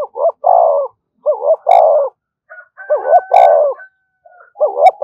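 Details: Spotted dove call used to provoke other doves: rapid phrases of two short rising notes and a longer falling coo, repeated almost without pause. A thin whistled tone and sharp clicks sound in between.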